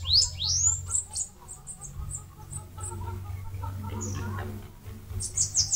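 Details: Bananaquit song from Northeast Brazil by a mandacaru nest site: sharp upward-sweeping high notes, then scattered thin chips and a soft low-pitched trill, closing with more high slurred notes over a steady low hum.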